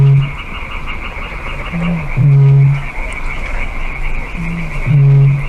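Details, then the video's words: Eurasian bittern booming call, a species that breeds in marshes and wetlands: deep, low hollow booms, each a brief lead-in note followed by a longer resonant boom, two such pairs roughly three seconds apart, over a steady high-pitched background hum. "y este es el sonido que hace el avetoro"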